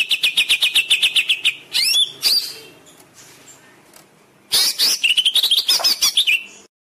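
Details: Greater green leafbird song meant to get caged birds singing: a long, fast chip series, a pair of curling whistles, a pause, then a varied chattering phrase rising into rapid chips.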